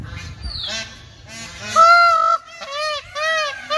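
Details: Peacock calling while dancing: loud, nasal, honking wails with a rich harmonic tone, one long level cry followed by two shorter arched ones, over faint background noise.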